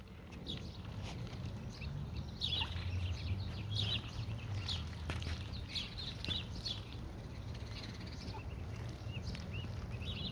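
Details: Ducklings foraging outdoors on rural property, giving a steady stream of high, thin peeps, short and irregularly spaced throughout, over a low rumbling background.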